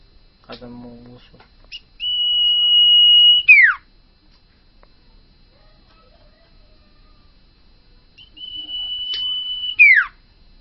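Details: A common iora, a caged bird being brought into full song, gives a long, steady, high whistle ending in a quick falling note, sung twice about six seconds apart, after a brief low buzzy sound.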